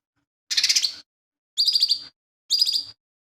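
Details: Lesser green leafbird, a kept songbird with a full repertoire of imitated calls; three quick, high, trilled bursts with a pulsing, rattling texture, about one per second.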